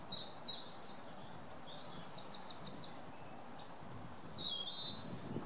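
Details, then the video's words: Wren singing: rapid high-pitched trills and sharp ticking notes, with fast runs of short bright phrases and a brief high whistle near the end, set against steady low outdoor background noise. "Wren singing"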